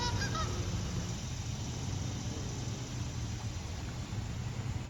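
Canada geese give a few brief nasal honks near the start, set against a steady low rush of flowing water.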